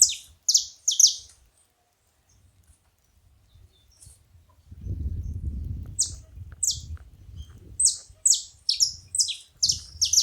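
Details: Saffron finch at a feeding spot: a few bright descending chirps open, followed by near silence and a patch of low rumbling, then a quickening series of high down-slurred notes to the end.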